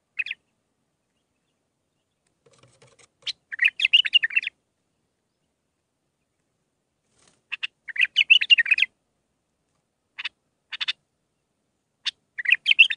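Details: Mandalawi-style training song of a bulbul, six phrases, used to teach young hybrid birds: short bursts of rapid, high twittering separated by long silences, with a faint low note near the start and nothing else audible.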